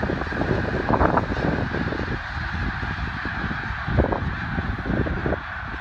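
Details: Snow geese at Middle Creek, Pennsylvania, on the morning of February 24, 2024, a large flock giving dense overlapping honking calls, a continuous noisy chorus with a few louder honks standing out.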